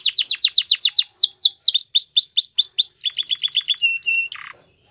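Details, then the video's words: Belgian canary singing as a training example: fast rolls of high downward-sweeping notes, then slower rising swept notes, shifting into clipped twangy phrases and a brief buzzy burst before fading to silence. "Belgian Canary Singing"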